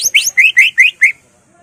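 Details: Greater green leafbird phrase used to agitate other leafbirds: six quick rising whistled notes in an even series, then silence.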